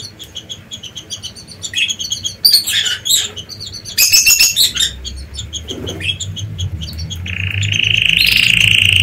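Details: Canaries at work on their nest before egg-laying: rapid high chirps and buzzy trills build in loudness, ending in a long, steady, sustained high whistled tone over a low background rumble.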